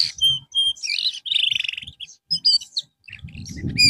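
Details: Canary in therapy after losing its singing form: clear whistled notes, a buzzy rolling trill, and varied chirps in quick succession, with low rumbling at the end.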